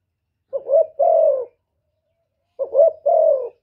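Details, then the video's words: Spotted dove giving 'thổ thúc' style coos and calls meant to provoke wild rivals. Two soft, low double-note phrases sound: a brief wavering coo and then a long smooth descending note, with a silent pause between them. "cu gáy giọng thổ thúc gù + gáy gọi giọng rất chuẩn để kích bổi"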